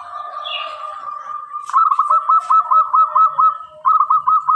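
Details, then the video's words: Clear-voiced local zebra dove singing actively: a long steady hum-like tone, then a sharp onset into a fast run of rolling, pulsed coos on an even pitch, a short pause, and another shorter run. "Perkutut lokal gacor sangat jernih sekali"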